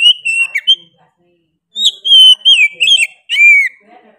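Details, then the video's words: Oriental magpie-robin in vigorous 'gacor' song, a loud whistled phrase, then a second of silence, then a run of rich slurred whistles that fall and rise. "KACER GACOR NGOTOT PEDES SUARA NYA GA DA AMPOON"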